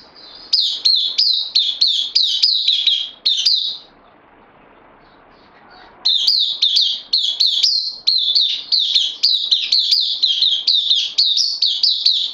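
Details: Bulbul in captivity, a new arrival on loan, 12 September 2020. Long runs of rapid, bright chirps, about three or four a second, broken by a two-second silence before the chattering resumes.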